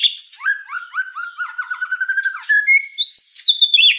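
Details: Tutor song of a white-rumped shama for young spotted birds: quick descending chips over a steady whistled note, then a clear rising whistle and high, slurred sweeping notes.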